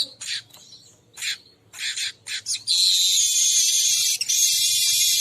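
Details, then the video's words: Weaver lure call meant to draw in every kind of weaver: bursts of harsh, buzzy chatter, then a long, steady, sizzling high buzz that runs without a break to the end. "suara pemanggil semua jenis burung manyar"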